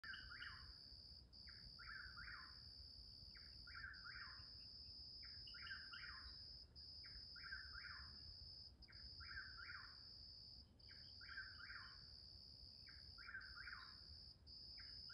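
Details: A Chuck-will's-widow calling at midnight repeats its rolling, whistled 'chuck-will's-WID-ow' phrase about every two seconds, over a steady, high-pitched insect drone.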